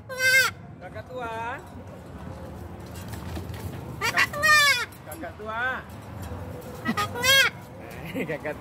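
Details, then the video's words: Yellow-crested cockatoo giving a series of loud, ringing, harmonic squawks that bend up and down, some doubled, spaced a second or two apart, over low background rumble and nearby human voices. "Ketika kakatua bersuara"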